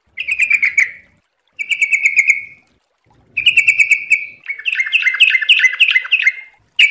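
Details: Trucuk (yellow-vented bulbul) in quick ropel-style song: three clipped runs of evenly repeated bubbly notes, then a longer rolling warble rising and falling in pitch.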